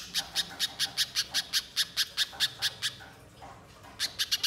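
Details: Spiderhunter lure intended to make a bird sing: evenly spaced, sharp, buzzy chips for about three seconds, a short gap, then a few more chips at the end.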